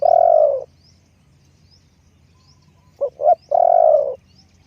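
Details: Spotted dove lure bird giving a long husky croo, a pause of about two seconds, then two quick short notes and another drawn-out croo, faint high chirps behind.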